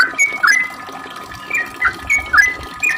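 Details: A sooty-headed bulbul sings a long lively song, used as a lure to make other bulbuls answer. It gives bright, bubbly whistled notes, about eight short slurred phrases in quick succession, loud and close.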